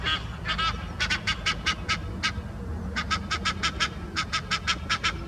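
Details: A pair of Egyptian geese (Alopochen aegyptiaca) perched on a Henry Moore sculpture arch give harsh, nasal honks in quick runs, challenging another pair flying overhead; low background rumble.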